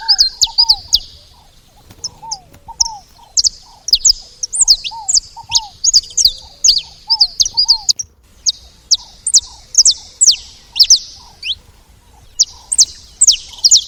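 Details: At the feeder, saffron finch chirps for about fourteen seconds: runs of sharp, high down-slurred notes. Rows of lower arched whistles appear in the first half, with brief pauses between bursts.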